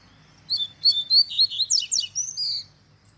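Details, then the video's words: A double-collared seedeater delivers its tui tui zel zel tutoring song, meant for young birds to learn: about a dozen high whistled syllables, then steeply descending buzzy notes and a long steady whistle to close. "Encarte Coleiro Tui Tui Zel Zel Cantando Ao Som Da Natureza"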